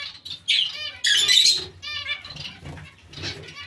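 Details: Zebra finches calling in a colony mixed with Bengalese finches: loud, buzzy, trumpet-like calls in short bursts, with quieter nasal notes and soft rustling between them.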